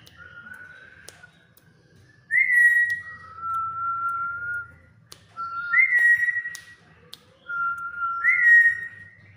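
A black-capped lory gives clear, pure whistles: a bright rising note dropping into a long, steady lower tone, repeated three times. A faint low hum sits underneath.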